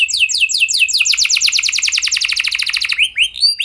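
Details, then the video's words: Canary in energetic gacor song meant to spur other canaries to sing: fast chains of downward-sliding whistles merging into a tight, buzzy trill, closing with a few separate clear chirps. "Pancingan Ampuh Banyak Burung Kenari Cepat Bunyi Gacor Dengan Suara Kenari Gacor Lagu Unik Ini!"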